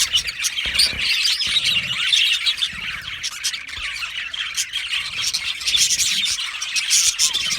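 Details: Australian budgie colony in an aviary, lively overlapping chirping and twittering from many birds, with occasional sharp squawks and faint low knocks.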